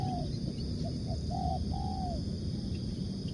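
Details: Spotted dove (tekukur) lure call heard more distantly: a short coo, two small notes, then two drawn-out arched coos, all partly buried under heavy low-frequency rumble and hiss.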